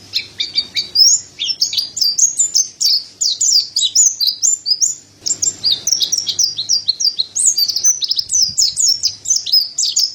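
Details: Mountain white-eye, locally pleci dada putih, in lively song: ten seconds of dense, high-pitched twittering with quick rising and falling notes run together, a faint low background hum.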